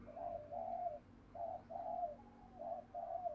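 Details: Spotted dove in the local "thổ" voice giving the quick "thúc gù" calling style: pairs of mellow, even coos, each pair about a second apart, repeated three times over a quiet background.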